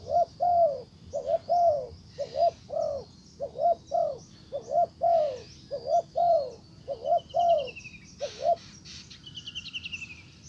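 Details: Decoy spotted dove cooing to draw in a wild dove. Soft, low paired coos and drawn-out falling coos repeat in a long series, then stop. Thin high trills and chirps from other birds follow near the end.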